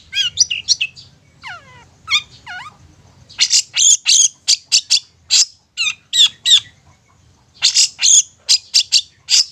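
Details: Lure song of a long-tailed shrike, played to rouse mute, stubborn young birds into singing and agitation: thin whistles slurring steeply downward, then dense bursts of harsh, scratchy chattering notes with short pauses between them.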